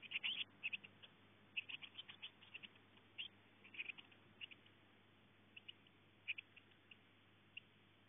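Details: Eurasian blue tit chicks that seem confused between the eldest chick and their mother: bursts of short, high chirps and ticks, densest at the start and then sparser, over a steady low hum.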